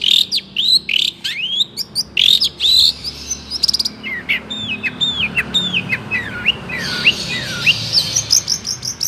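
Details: Long-tailed shrike song full of imitated Cipaku and swiftlet calls: bursts of loud rising and falling whistled sweeps, a fast trill, then a string of down-curving whistles and high thin notes, all clear and close.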